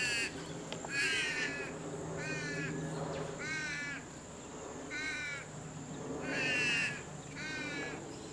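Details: Purple swamphens tending a nest, one parent taking over from the other. Six or seven wavy, bleating squawks come at roughly one-second intervals, harsh and quavering, over a low hum and a faint constant high tone.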